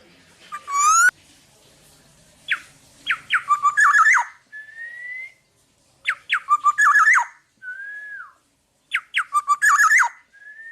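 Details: Energetic Black-naped Oriole song for tutoring other birds: quick series of sharp descending ticks building into a buzzy, chattering burst, then smooth fluty whistles, the pattern repeating about every three seconds.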